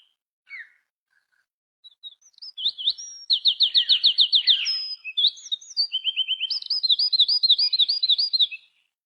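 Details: {'caption': 'Songbird said to sound like a magpie robin, singing a varied, high-pitched phrase. Scattered chips lead into a rapid buzzy series, brief warbles, a short quick trill and a string of bouncy, looping notes repeated rapidly, with no other sounds.'}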